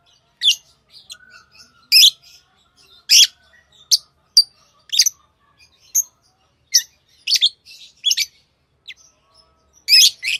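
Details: Lovebird chirping as sparse, sharp, high-pitched chirps and clicks spaced irregularly, roughly one or two per second, over a quiet background.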